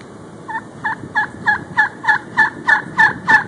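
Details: In the early evening of February 6, 2011, a wild turkey utters a rhythmic series of clipped, raspy notes about three per second, starting soft and growing steadily louder over a quiet background.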